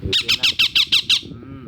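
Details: Rose-ringed parakeet calling to a companion of another species: seven strident, rasping squawks repeated quickly and evenly, then fading into a soft background murmur.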